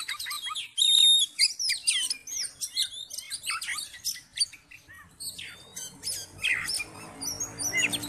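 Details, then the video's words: Oriental magpie-robin in full fighting mode, singing to stir up other magpie-robins; a brief steady whistle, then a rapid string of sharp ticking chirps and quick slurred notes, later accompanied by a low humming background. "KACER FULL TARUNG DAN NGOTOT MEMICU KACER LAIN CEPAT FIGHTER"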